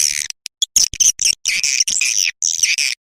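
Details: Lure sound to draw swiftlets into a new nesting building: harsh, buzzy high twitters and squeaky chirps in uneven bursts, with a few faint low thumps underneath.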